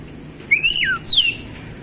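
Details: Oriental magpie-robin song meant to restart a bird that has stopped singing: two short, bright whistles, the first rising then gliding down, the second sliding downward.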